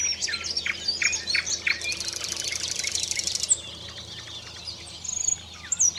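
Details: Common nightingale song amid five to six rival nightingales: loud clipped notes, then a long fast buzzing rattle, followed by pure rising whistles, with a low steady hum in the background.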